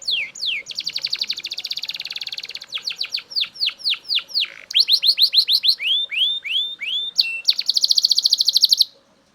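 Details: Belgian canary singing unstoppably loud: a rolling trill, a series of falling swoops, rapid clipped notes, then a final high buzzy trill before the song stops abruptly.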